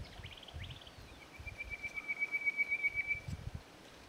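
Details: Chestnut Quail-thrush male singing in full voice at Hattah-Kulkyne National Park on 13 September: a few short high notes, then a sustained very high, evenly pulsed whistled trill lasting about two seconds, over low rumbling background noise.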